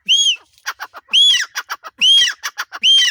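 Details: Male grey francolin in Punjab gives loud, ringing whistled notes, each followed by a quick run of sharp clipped syllables, repeated about once a second.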